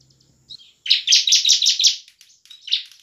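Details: Bar-winged prinia singing energetically in ngebren style as a lure for lazy prinias: a quick run of about six harsh, buzzy high notes, followed by softer trailing chips.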